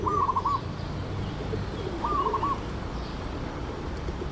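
A zebra dove gives two short, broken cooing phrases about two seconds apart, soft staccato notes at a medium-high pitch, over a low rumbling background.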